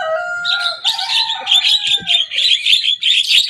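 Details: Javan myna, a young bird singing energetically and copying rival birds' songs. Opens with clear, steady whistled tones, then breaks into a fast series of loud, buzzy, rasping bursts repeated several times a second.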